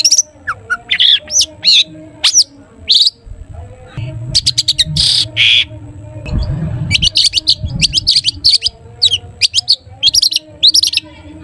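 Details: Long-tailed shrike in full varied 'toet toet' song, used to get other shrikes singing: sharp whistled notes and slurs, a fast rattling series, then long busy stretches of rapid high squeaky phrases.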